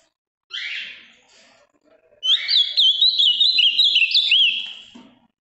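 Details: Large, strong-blue Ultramarine grosbeak from the Minas Gerais region, Brazil, a kept bird with a firm song, giving a harsh buzzy note, then after a pause a rapid run of clear, zigzagging whistled notes lasting about three seconds.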